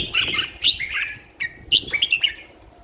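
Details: Competition red-whiskered bulbul in a cage, in full condition and singing hard: a few quick, clear whistled phrases, each a short rising-and-falling warble, separated by brief gaps, with little background noise.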